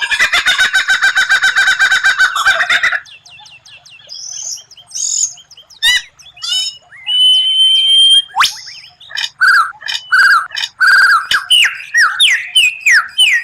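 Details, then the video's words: Murai batu, the white-rumped shama, giving a rare 'tembakan' song: it opens with a loud harsh rattle for three seconds, then varied sharp whistles, thin high sweeps, and a series of slurred descending notes near the end. "Masteran murai batu tembakan langka, suara aneh tapi memukau lawan"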